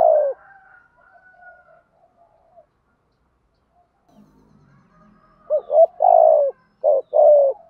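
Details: Spotted dove decoy bird in 'giọng thổ' voice, cooing to lure and excite wild males. After a soft, drawn-out coo and a long quiet gap, a closing burst of deep, hollow coos comes in two clustered groups.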